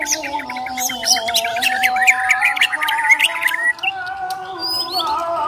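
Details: Borneo white-rumped shama fighter challenging, its song used to test other birds' nerve: dense chattering notes and bright slurred whistles tumbling together for several seconds, then quieter scattered phrases over a steady background drone.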